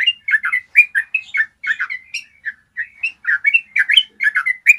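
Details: Long, clear rolling song of a yellow-vented bulbul, meant to train other bulbuls to trill: continuous chattering stream of short, bubbly, up-and-down warbled notes, about two per second, without breaks.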